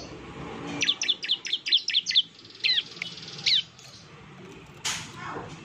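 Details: Bar-winged prinia lure song meant to provoke a reply: a rapid series of about seven sharp high chipping notes, then two spaced single notes and a final noisy burst.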